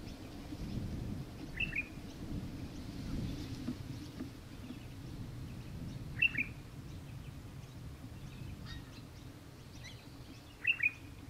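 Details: Australian hobby (Little Falcon) in Victoria, Australia, December 2023: short sharp chattering call notes repeated about every four to five seconds over low steady background rumble.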